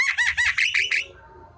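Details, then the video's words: Javan myna in the afternoon giving five quick buzzy, harsh notes in a row, each with a whistled arc, fading into a quiet low tone. "Burung jalak kerbau di sore hari||suara jalak kebo full"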